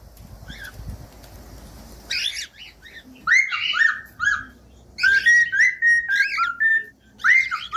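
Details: Cockatiel whistling meant to train young or silent pet birds to sing: after a quiet start, scratchy chirps lead into repeated short whistled notes and warbling phrases, fairly loud and close.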